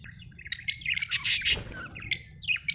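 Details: Budgerigar chattering: rapid, harsh chirps and squeaks packed together, with a sharp louder cluster midway and a few clipped tweets at the end, low hum beneath.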